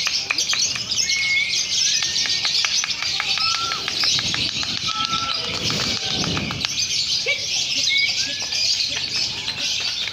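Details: Many lovebirds chatter at once at a simulated singing contest, recorded to train young birds for competition, in a dense, shrill wash of high chirps and clicks.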